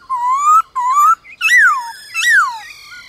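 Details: White-cheeked laughingthrush singing in a morning contest with wild laughingthrushes: loud clear whistles, two rising slurred notes followed by two arched swooping notes with rich harmonics.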